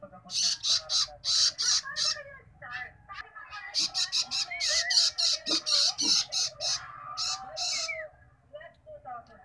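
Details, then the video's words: Baby long-tailed shrike begging during feeding, long runs of harsh, hissing squawks repeated rapidly, pausing briefly and then resuming in a dense burst. "feeding baby bird shrike"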